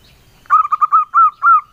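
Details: Local male zebra dove giving one engkel-style song phrase: a fast burst of short, soft, low coos that slows into two long, smooth, drawn-out notes.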